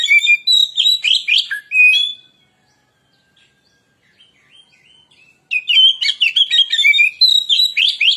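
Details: Lure song of a white-rumped shama: dense run of loud, varied whistles and chattering notes for two seconds, a quiet gap with faint twitters, then another long, energetic bout of sweet whistles and rapid chips.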